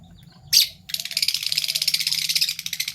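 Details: Two Fischer's lovebirds, a PB Violet and a Euwing Gold Opaline colour mutation, chirping in the morning: one sharp burst, then a dense run of rapid, harsh, high chirps repeated several times a second until the end.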